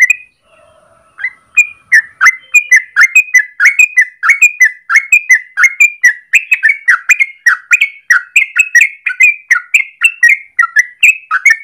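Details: Long rolling morning song of an actively singing yellow-vented bulbul, played as a master or lure for training birds: after a faint steady tone, a fast unbroken run of bright bubbling whistles, about three notes per second.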